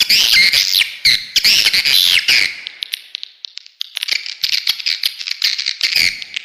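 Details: Swiftlets' lure call for attracting birds to a bird house: loud squeaky chattering bursts give way to a softer, rapid ticking twitter of many short notes.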